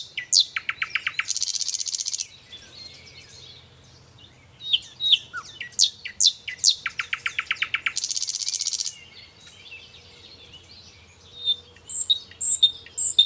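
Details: Rich nightingale song made of varied phrases: rapid evenly repeated chip series, dense buzzy rattles, lone whistles and high twitters, with the two main phrase types heard twice over thirteen seconds.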